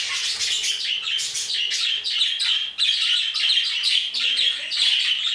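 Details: Aviary flock of budgerigars giving constant chirping, warbling chatter in many quick notes, while faint low voices murmur underneath near the end.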